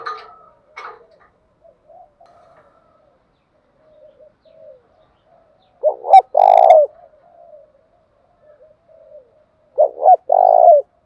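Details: Spotted doves, male and female, calling to stimulate cooing: brief chirps at the start, quiet soft coos, then two strong phrases of two short notes and a long throaty coo, one mixed with a sharp tick.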